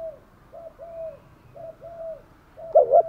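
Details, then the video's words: Spotted dove kept as a decoy for luring wild doves, giving soft low coos in short and drawn-out notes, ending with a louder double coo. "chim cu mồi thúc gù bài bản nhất hiện nay, chim cu gáy kích bổi hiệu quả nhất hiện nay"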